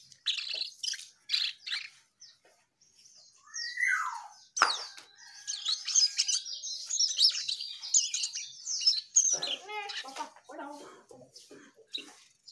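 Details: Energetic Asian pied starling singing: scratchy chatter, a loud downward-slurred whistle, then a long run of high buzzy and twittering notes mixed with clicks and rattles. The song continues almost without a break.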